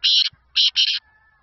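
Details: A seven-month-old black francolin from Hangu, Khyber Pakhtunkhwa, Pakistan, gives three loud, harsh, grating notes in quick succession, the last two nearly run together, followed by a faint, thin, steady tone.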